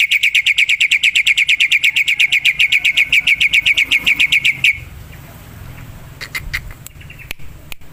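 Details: A lively black-winged myna in the wild: a rapid, even series of about thirty clipped, ringing notes for nearly five seconds, followed by quiet rustling and a few faint clicks.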